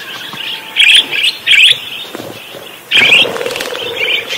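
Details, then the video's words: Parakeet in lively, vigorous song: bright chirps and warbled notes around the upper-middle range in bursts near one, one and a half and three seconds, with a faint steady low hum underneath. "Suara Kicau Burung PARKIT GACOR"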